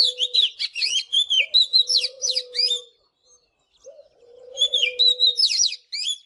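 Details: Morning song of an Oriental magpie-robin. Two bursts of quick, varied whistles and sharp chirps are split by a short pause. A low, steady cooing dove sounds underneath.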